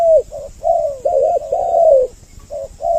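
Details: Double-voiced spotted dove lure call for drawing in males and females: a warbling run of low, rounded coos, the longest gently falling, then two short separate notes after a pause.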